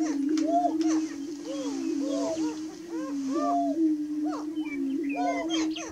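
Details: Greater prairie chickens calling around dawn, 30 March 2018: a continuous low moaning drone with rapid, overlapping arched whoops and cackles, several birds calling at once.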